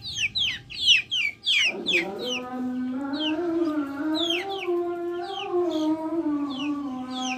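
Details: Backyard chickens: quick shrill down-slurred peeps, dense at first, then continuing while a long, smooth low tone with rich overtones rises in and holds, gently wavering.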